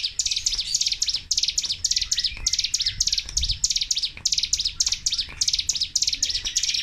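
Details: Nonstop 'tembakan' burst song of a Sunda warbler (cigun, ciblek gunung). Fast, high, sharp chirps packed into continuous chattering bursts, with no gaps between phrases.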